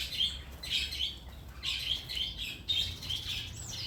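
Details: Pair of tailorbirds inside a house; sharp, high chirps repeated in quick bursts of two or three notes, with steady low background noise.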